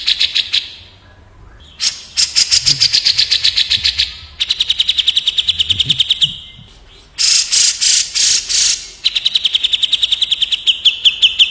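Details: Cucak jenggot, the grey-cheeked bulbul, in a speedy back-and-forth song contest with a kapas tembak bulbul: several long bursts of harsh, rapidly repeated high notes, broken by short quiet gaps and a faint low murmur.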